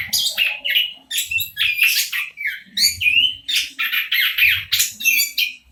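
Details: Orange-headed thrush, local type, song played to trigger singing in silent birds: steady run of loud squeaky, buzzy and whistled phrases, each roughly a third of a second, almost without breaks.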